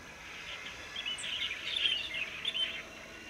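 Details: A large flock of Light-vented bulbuls (Pycnonotus sinensis), which came down to a nearby waterway to drink and bathe, on 7 March 2024, chatter noisily: overlapping bright, scratchy chirps and warbling notes over soft hiss.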